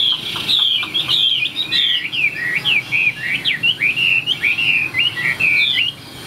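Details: Loud, clear song from a tame caged Chinese hwamei: rapid chains of bright slurred whistles, each phrase bending up or down, delivered almost without gaps before stopping abruptly near the end.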